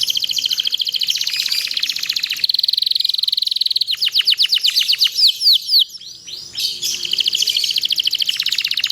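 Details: Canary singing as a training master for other canaries, with dense high rolling trills, a steady buzzing whistle, then a run of rapid downslurred chips before another long fast rattle.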